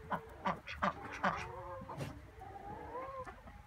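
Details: Ducks quacking: four short, harsh, nasal quacks in the first second and a half, then drawn-out, wavering tonal whistles over a low background rumble.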